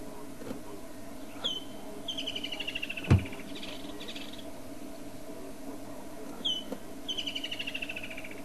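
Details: Two full calls from a Woodland kingfisher, a summer visitor to southern Africa. Each is a sharp leading note and then a quick, descending pulsed trill, about five seconds apart. A loud thump falls between them over a steady low hum.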